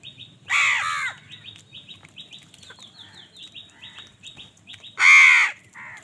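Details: House crows in an angry scramble with other birds over food, two loud raucous caws about four seconds apart, with a steady run of short, high chirps from smaller birds in between.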